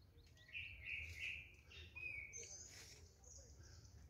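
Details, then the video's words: Morning birdsong recorded on 5 June 2022: clear whistled and warbled phrases around mid-high pitch, a few rising notes and a high thin trill near the end, over faint low background rumble. "아침 새소리"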